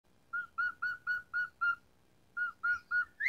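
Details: Asian pied starling in full song with varied fill-in notes, used as a lure for starlings that stopped singing: a quiet series of six level whistled notes, a pause, then four more ending in a rising note, over faint background hiss.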